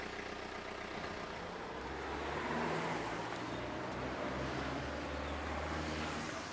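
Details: Continuous road traffic rumble, swelling and fading, and no animal voice.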